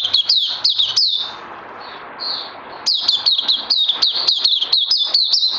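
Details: Oriental white-eye recorded 31 May 2020, giving rapid, high, chirpy notes with sharp dips, about four per second. A one-second pause with a faint trill comes before the bright run resumes.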